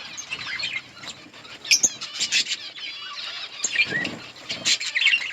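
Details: Feeding budgie colony with green leaves; bursts of chirps and warbled twitters broken by rustling and fluttering sounds.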